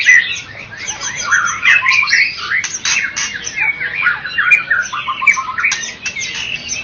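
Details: Medan and Java type white-rumped shama, a contest champion, giving vigorous song of fast chirps, wavering whistles and clicking bursts, strung together densely from start to finish.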